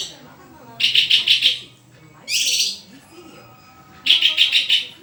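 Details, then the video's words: A persistently singing white-rumped shama gives quick runs of about five sharp repeated high notes, a short harsh buzz in between, then another rapid run. "SUARA INDAH BURUNG MURAI GACORRRRR!!!"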